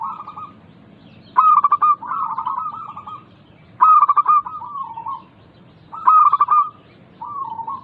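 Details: Local zebra dove singing to coax lazy caged birds into song: three loud stuttered coo phrases, each trailed by softer, longer rolling coos, a steady back-and-forth pattern.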